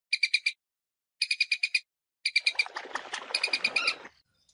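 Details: Common moorhen call used as a lure for bird hunting: short runs of sharp, high, evenly spaced kek notes, three clear groups, the last blurred by rustling noise before fading out.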